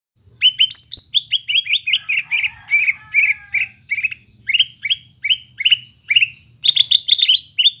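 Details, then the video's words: Greater green leafbird song used as a lure to rouse a silent bird back into full song: a fast, steady chain of bright chirped and whistled notes, many sliding downward, with higher sharp notes near the end. "PANCINGAN BURUNG CUCAK IJO YANG MALES BUNYI,MACET BUNYI AGAR GACOR KEMBALI"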